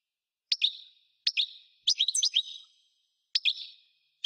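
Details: European goldfinch song in short bursts of bright, clipped twittering notes, each phrase a quick chirp followed by a fading tinkle, repeated about every second with brief pauses and a denser jumble in the middle.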